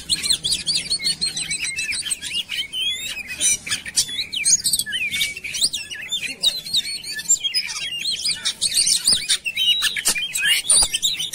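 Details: Oriental magpie-robin lure song meant to make birds sing: dense, rapid medley of high whistles, rising and falling slurs and sharp chirps, layered and continuous with almost no pauses.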